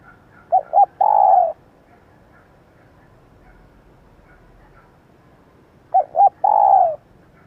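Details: A female spotted dove gives its male-luring call, used in training decoy birds: two brief clipped notes then a long mellow falling coo, heard twice about five seconds apart over low background hiss.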